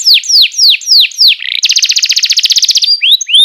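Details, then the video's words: Canary singing for young birds to learn: five loud downward-swooping whistles, then a fast buzzy trill of repeated notes, ending with thin high whistles. "PANCINGAN JITU BURUNG KENARI#014,masteran burung kenari paud"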